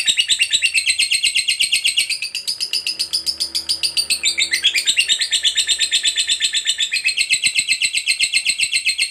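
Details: Fighter lovebird giving a long "ngekek" trill, kept to stimulate silent lovebirds to sing: a sustained fast stream of harsh chattering pulses, about four per second, with a brief wavering break midway before the rapid chatter resumes.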